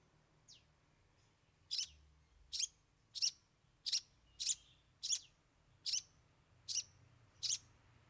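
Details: Long-tailed shrike, locally cendet, 'bongkar 3 isian' song: a faint downslurred whistle, then a steady run of nine harsh, grating notes spaced under a second apart.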